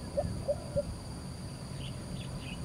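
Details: Lesser coucal singing in Singapore: three short, low, hollow hoots spaced about a third of a second apart, followed by a few faint higher chirps from other birds over a steady low rumble.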